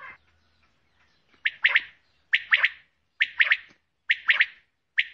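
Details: Calls of a female common quail: rasping three-note phrases delivered at a steady pace, close to one per second, after a moment of near silence.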